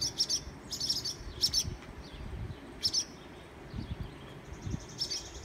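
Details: Barn swallows dive-bombing people near their nest on a garage security light, recorded on an iPhone 6; clipped, high double chips in quick clusters, then sparser notes, over soft low rumble.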